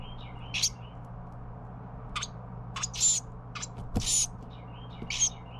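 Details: Baby Carolina wren fed by parents, uttering a string of harsh, buzzy rasps at irregular intervals, some short and clipped, others longer and hissing, with faint slurred chirps and a dull thud mid-sequence.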